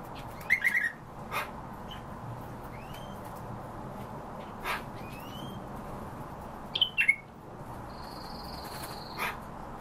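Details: Rolling, purring bee-eater calls: a quick trilled burst near the start and a second pair of notes about six seconds later. Faint upslurred whistles and a long flat tone from other birds sit between them over low, constant background noise.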